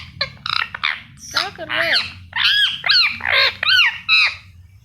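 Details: A pet Indian ringneck parakeet talking: a burst of harsh, speech-like squawked syllables and rising-falling tonal sounds over about four seconds, with laughter and a human voice nearby.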